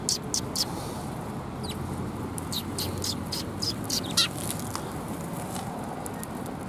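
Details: Sparrows gathering to be fed at a Tenmangu shrine, 25 January 2021, give short, high, bright chirps, clustered at the start and repeated irregularly throughout over a low background hum.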